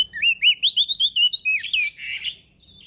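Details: Male prinia singing vigorously for a bird-training recording; about a dozen crisp, rolling whistles in quick succession, each curving up and down, ending in a rougher, buzzier flourish before fading.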